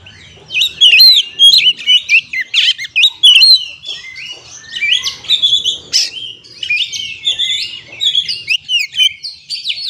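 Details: Continuous rich song of a kacer, or Oriental magpie-robin, played as a lure for stressed birds: dense varied whistles, trills and harsh chirps in quick bursts, barely pausing across the whole stretch.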